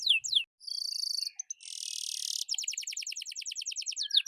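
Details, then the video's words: Atlantic canary singing to encourage quiet birds to join in: a few swept notes, a steady buzzy trill, a harsh dense buzz, then a fast rhythmic series of bright repeated notes. "KENARI GACOR COCOK UNTUK PANCINGAN DAN MASTERAN, BURUNG DIAM AUTO IKUT BUNYI!!!"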